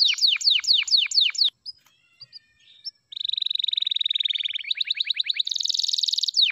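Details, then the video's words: F2YS canary song of long duration: repeated falling whistles, a brief quiet gap with faint notes, then a long level trill, a short rattle and a high buzzy roll. "DURASI F2YS GINI || PASTI SYAHDU LAGUNYA"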